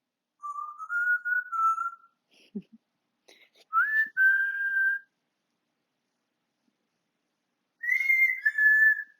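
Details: Pet male African grey parrot whistling away indoors on 20 August 2022: gently wavering whistled phrases, a short rising-then-level pair, faint clicks, a long pause, then a two-note falling whistle.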